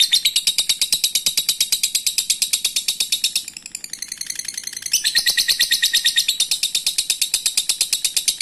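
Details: Lovebird giving a long chattering ngekek song, used as a lure to provoke rivals into answering: fast, dense, high buzzy trills running continuously, briefly softening midway before resuming loudly.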